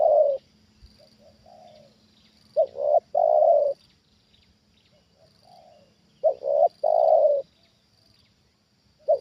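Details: Spotted dove used as a decoy reacts to a wild bird, giving loud triple-note coo phrases, the last coo long and steady, roughly every four seconds, with faint replies from another dove and a constant high hum.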